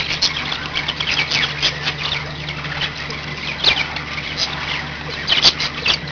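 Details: Group of pet budgerigars chattering in fast scratchy phrases, busiest in the first two seconds, with a sharp click near five and a half seconds and a low hum.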